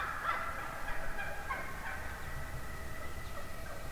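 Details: Wild turkey hens in a large morning flock giving softer, drawn-out calls and a few clucks, several voices blending at low volume over a steady background rumble.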